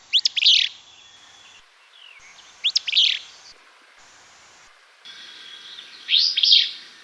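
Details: Southwestern willow flycatcher fitz-bew call during a breeding survey in willow thickets at Bosque del Apache refuge, possibly the played survey recording: three sneezy, burry notes, quick and high, about three seconds apart, faint hiss.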